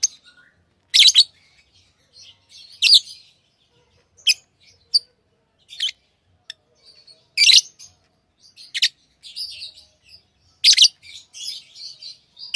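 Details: Lovebirds kept as tamed pets chirping over twelve seconds: loud shrill chips and squawky bursts at uneven intervals, mixed with quieter chattering twitters.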